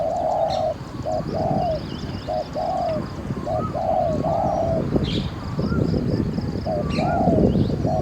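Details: Spotted dove as a caged decoy during wild dove trapping near Sena, Ayutthaya, cooing steadily in repeated short-short-long phrases. Other birds twitter with thin whistles, over a steady low rumble.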